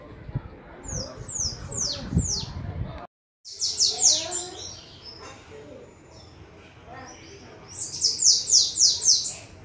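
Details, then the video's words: Several bananaquits in song: bursts of rapid, very high, thin descending squeaky notes, several per second, in three clusters separated by quieter stretches, with low background murmur. "VÁRIOS SIBITE CANTANDO"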